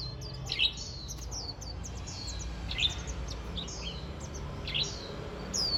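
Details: First-day-of-autumn chatter from a warbling white-eye: sharp, high, thin notes and brief slurred whistles coming in small bursts every second or two, with a constant low hum underneath.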